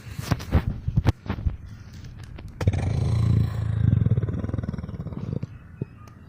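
A turkey lets out a deep, throaty rumble lasting nearly three seconds, like a long low burp, after a few soft knocks and thumps.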